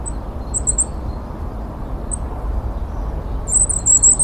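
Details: Goldcrest, wild bird, with the male distinguished by a more orange crest: very high thin notes, a few short squeaks then a rapid high trilled phrase near the end, over steady low background rumble.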